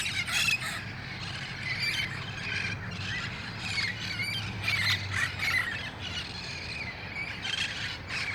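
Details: Red-faced parrots in the wild at El Cajon, August 1, 2018, assembling at dusk ahead of flying to their roost trees; raucous squawks burst out repeatedly, some shrill and rising, above a constant low rumble.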